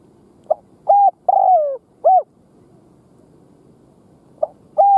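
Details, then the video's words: Cooing of a spotted dove kept as a decoy to attract wild doves: a phrase of four low, hollow coos with a drawn-out falling middle note, a pause of about two seconds, then the phrase starts again. "Chim cu mồi gù gáy kích bổi"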